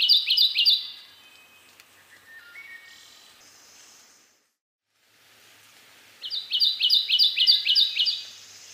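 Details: Kentucky warbler (Geothlypis formosa) in the foreground, eastern North America, sings loud, rolling two-note phrases, churry-churry-churry, in two bursts with a quiet pause; a Wood Thrush in the background gives faint notes.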